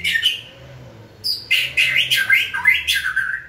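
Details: White-rumped shama during song training, heard close in a small room: loud, harsh squawky notes mixed with rapid warbled and whistled phrases.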